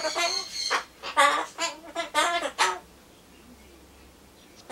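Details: Pet Solomons corella (Ducorps's cockatoo) chattering to itself indoors while waiting for pumpkin; bursts of harsh, rooster-like crowing notes in short strained phrases, about five loud pulses over three seconds, then quiet room.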